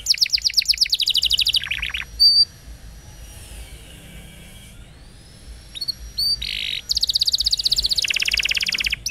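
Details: Canary singing as a champion model for young canaries. It opens with a fast pulsed trill, then a long, thin, quiet whistled glide, then short buzzy notes and another rapid high trill.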